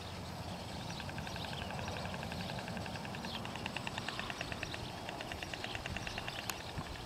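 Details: A pair of white storks greet each other with a bill-clacking display at their nest site in Extremadura, Spain: a fast, dry rattle of wooden clicks that builds and runs for several seconds, over a steady low rumble of wind or distant traffic.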